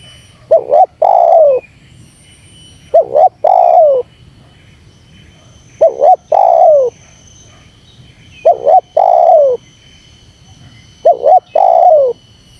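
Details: Spotted dove calling to rouse wild doves: five phrases, each a quick two-note stutter followed by a drawn-out descending coo, repeated about every two and a half seconds over a quiet background.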